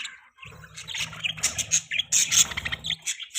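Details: Pet budgies in lively chirping chatter, dense overlapping high squeaks and warbles building toward the end, over a constant low droning hum.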